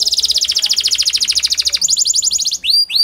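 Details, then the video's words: Canary song played to prompt reluctant canaries to sing: a rapid, even trill of high notes for almost two seconds, then a faster higher trill, ending with two sharp downward-sweeping whistles. "Pancingan Kenari Panda AMPUH, Membuat Kenari Malas BUNYI Jadi Bunyi"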